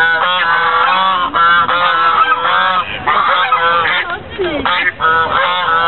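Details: At Lake Elizabeth in Fremont, California, in November 2013, white geese honk loudly and harshly, several overlapping voices in rapid bursts, some calls sliding in pitch near the end.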